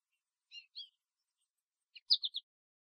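American goldfinch calls: two thin, sweet high notes, a pause, then a quick run of four bright chips in the familiar bouncy rhythm, against a quiet background.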